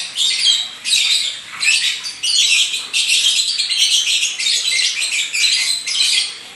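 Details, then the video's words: A lovebird kept as a pet in Indonesia and praised for energetic singing; dense, grating high chatter in repeated bursts roughly every second, rough squawky notes running almost continuously. "Burung Suamiku Gacor Gaezz"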